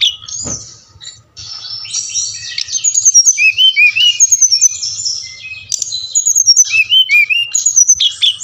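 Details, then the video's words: Brown-chested jungle flycatcher from Bali, song used as a lure to get lazy captive birds singing: rapid run of high thin whistles and sweeping slurred notes, many rising-and-falling loops, continuous with brief pauses, no other sounds. "Sikatan Rimba Dada Coklat | putar ini pasti SRDC anda ngamuk gacor dengan suara ini"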